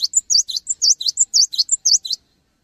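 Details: Cinereous tit in full song, intended to encourage other tits to sing. Bright, high, chattering phrases of a piping note, a V-shaped chirp and a falling note. Repeated rapidly four or five times, then abrupt silence.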